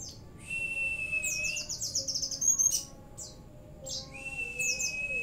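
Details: Oriental white-eye in active song loaded with CiLiLin, bren and cigun phrases: a long, level, thin whistle alternates with rapid runs of high descending chirps and sharp sweeping notes, with quiet low hum beneath.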